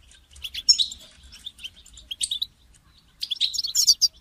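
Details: Caged European goldfinch call used to motivate another goldfinch to sing: bursts of bright, twittering high notes with sharp metallic accents, in three clusters separated by short pauses.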